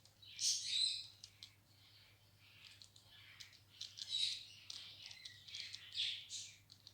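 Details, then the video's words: Pet ringneck talking parrot playing with toys in a happy mood; bursts of high, scratchy chirps and short squeaky whistles, loudest near the start and again around four and six seconds, with faint clicking between. "TALKING PARROT MITHU PLAYING WITH TOYS IN HAPPY MOOD"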